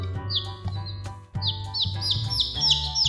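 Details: Baby chicks cheeping: high, sharply down-slurred peeps in quick, overlapping bursts, several per second and growing busier toward the end, set over music with a steady low beat and sustained tones.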